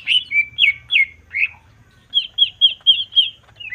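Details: Greater green leafbird song in the steady jamtrok manner, used as an emotional provocation. Slurred whistles with a gap after them, then a fast even chain of bright looping notes, roughly four per second.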